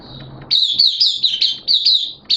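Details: Oriental white-eye in opening song (buka), recorded 11 September 2022 in wet, erratic weather; after quiet low rumble, a burst of quick high warbling chirps with a brief final phrase.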